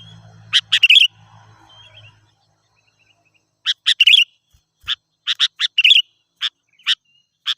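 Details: Sooty-headed bulbul song used as a lure for wild birds: loud clear bursts of short bubbling notes in quick groups, then evenly spaced single chirps about every half second; a faint low hum at the start.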